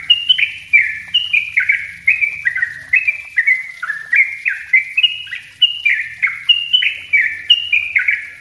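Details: Yellow-vented bulbul singing the dense 'ropel rapat' style, recorded as a lure and master for wild-caught birds: steady rhythmic series of loud, clear whistles, each dipping in pitch, closely spaced throughout.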